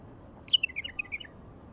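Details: Wild bulbul giving a brief, lively phrase of about eight sweet warbled notes, descending slightly, with little else audible.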